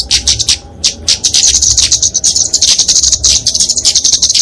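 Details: Flowerpecker (kemade, genus Dicaeum) fighting song, used to train and lure small songbirds: high, thin, rapid ticking twitters that start in short bursts, then run on almost without pause.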